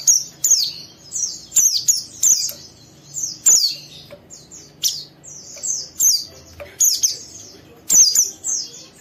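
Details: A young, vocal oriental white-eye kept in captivity sings harsh ngeriwik phrases to trigger a rival bird into answering; sharp, high chirps and downslurred twitters repeat in bursts roughly every second.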